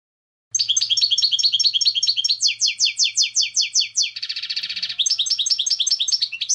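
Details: Goldfinch song starting after a brief silence: rapid tinkling notes, then a run of sharp downslurred chirps, a short buzzy rattle, and more twittering.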